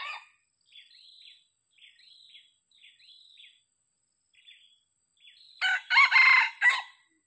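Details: Small birds chirp in short, high descending notes for about five seconds before an old decoy junglefowl, used to lure others and still hesitant, lets out a loud, raspy crow in several choppy bursts.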